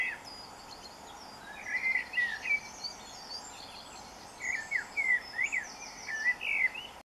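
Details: Dawn song of a common blackbird at 4am, 24 June 2015: rich, warbled whistled phrases with thin high twitters tacked on, repeated in two runs over a constant low hiss and faint high chirps from other birds.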